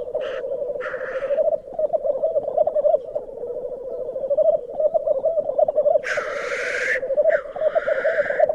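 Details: Black grouse at a lek at Glen Tanar, recorded from a photography hide, keep up a continuous low, dove-like bubbling, broken by a few harsh, hissing sneezes that rise above it.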